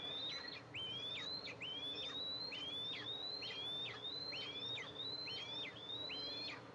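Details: Eastern imperial eagles, July 14, 2024, with the mother arriving at the nest to feed two eaglets, nest camera. Evenly repeated high whistled notes rise gently and end in a steep fall, about one per second, over a low steady hum.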